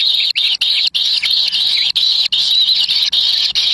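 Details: Wild kingfisher chicks in the nest contesting a black lizard brought by their parent: piercing, wavering high squeals with sliding notes, cut by roughly eleven short pauses.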